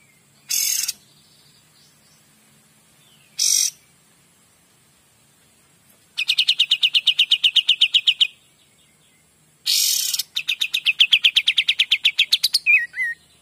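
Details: Kapas tembak singing gacor, recorded clearly as training master for magpie-robins: two brief harsh bursts, then two long rattling runs of fast, repeated high notes, about four per second, with a short whistle at the end.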